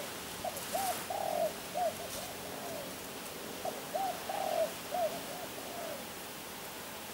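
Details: Spotted dove (tekukur), called a champion bird of Kebon Kacang, cooing in two phrases about three seconds apart, each a run of soft low hooting coos with a longer wavering note in the middle, over a steady faint hiss.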